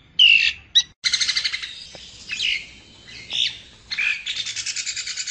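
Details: Javan myna song: bright whistled notes and slurred phrases, then rapid runs of short, evenly repeated chattering notes about eight per second, loud and clear with no other sounds.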